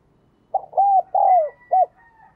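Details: Decoy spotted dove calling to attract wild doves, giving one low four-part coo phrase with a drawn-out descending middle coo, over a faint steady high whistle-like tone.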